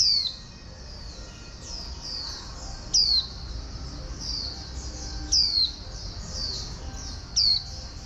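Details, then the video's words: Oriental white-eye, a wild-caught male with a female used to stir it, singing in the local 'líu' style: sharp, very high down-slurred whistles repeated every two to two and a half seconds over a continuous thin, high twittering warble. "Khuyên Mái Kích Trống Bổi Líu Cực Nhạy"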